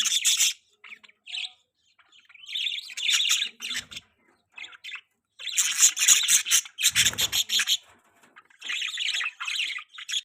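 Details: Budgerigars chirping in bursts: loud, buzzy, scratchy warbles and rapid chirps lasting about a second each, separated by brief pauses, with one harsh noisy burst midway.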